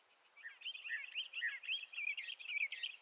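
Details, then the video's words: A Bendire's thrasher sings a continuous, warbling run of sweet, slurred phrases around a high middle pitch, with quick chattery notes mixed in and no pauses. "Bendire's Thrasher Bird Song"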